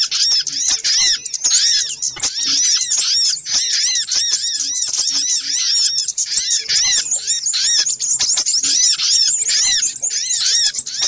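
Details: Long run of little spiderhunter lure calls from a noisy compilation, rapid shrill arched squeaks repeated without letup, layered as if many birds chatter together.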